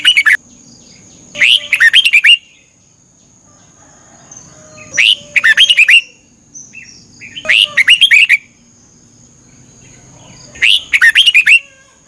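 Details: Caged Red-whiskered bulbul from Thailand, morning training song: four lively phrases of five or six sharp, slurred whistled notes, repeated roughly every three seconds, with a thin constant high hum behind.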